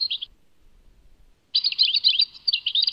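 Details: European goldfinch at Tadmait gives a short twitter, falls silent for over a second, then bursts into dense, jangling twittering song.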